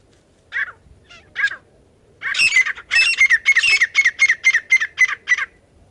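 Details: Partridge call, used to lure birds when catching partridges: a few hesitant harsh notes, then an accelerating burst of loud, rasping double notes. It ends in an even series, about four per second.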